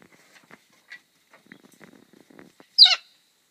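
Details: A galah in the morning gives one loud, harsh, grating screech lasting about a quarter second, after soft clicks and faint rustling.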